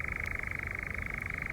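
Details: A European nightjar churrs close by in a nearby tree in UK woods on a late-spring evening at dusk: an unbroken, dry, mechanical trill of very rapid pulses at a steady pitch, over a faint low rumble from a distant road.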